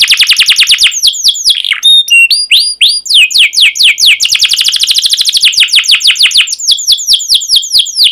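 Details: Lively canary song that lures young birds into singing: rapid falling chirps, a short interlude of flat whistled notes, then long runs of sharp sweeping chirps that speed up and slow down.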